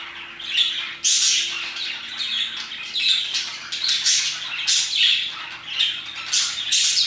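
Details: Afternoon parakeet chorus around 2pm, busy overlapping squawks and chirps, loud bursts roughly every second, a faint steady hum in the background.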